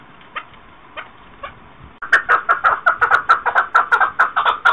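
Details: Faint, scattered clucks from a chukar partridge, 2021, then a sudden loud burst of fast, repeated harsh chuck notes that carries on strongly and rhythmically to the end.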